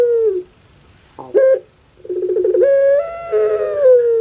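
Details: Kept puter pelung dove giving its drawn-out cooing call: a short clipped note, a rolling stuttered section, then a long, steady, slightly wavering tone that falls at the end, likened to a crying baby.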